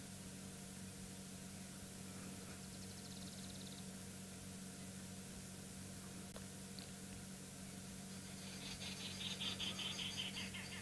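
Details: A woodpecker gives high, rapid chattering bursts, faint early on and stronger near the end, over a steady low vehicle hum during a morning game drive on a South African private game reserve in September.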